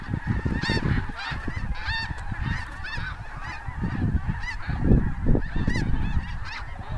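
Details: Hundreds of snow geese lifting off cornfields at Bosque del Apache in January 2014, just before sunset; rapid overlapping squawks and honks, several distinct calls each second, with loud low wind or wing rumble underneath.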